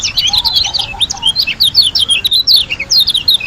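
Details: Lombok white-eye in full song, a nonstop, breathless jumble of very high chirps, trills and down-slurred whistles packed closely together, with a soft lower warble early on.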